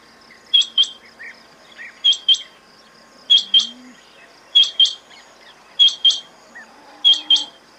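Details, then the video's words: A quail gives crisp, piercing two-note calls at a steady rhythm, one pair roughly every 1.3 seconds, six times. Faint low chirps fill the gaps. "Звуки перепілки❇️Quail sounds"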